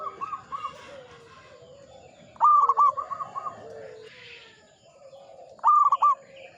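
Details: Old local zebra dove, singing frequently. Three bursts of staccato cooing are heard: a soft opening, a loud stuttering phrase, then a short loud one. A fainter, lower cooing bird and a brief hiss are behind.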